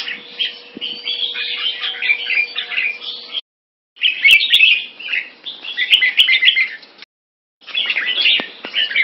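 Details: Red-whiskered bulbul, a caged Singapore-kept crossbreed of champion bloodline with big wings and open tail, pouring out fast, jumbled chirps and short whistled warbles in three busy bursts broken by brief silent gaps, with a few sharp clicks.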